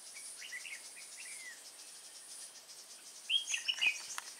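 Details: Red-whiskered bulbul at Nuông Dăm on 6 May 2018, during trapping with a decoy bird: soft faint notes at first, then a loud, rapid phrase of clear chirpy whistles, with a high insect drone throughout.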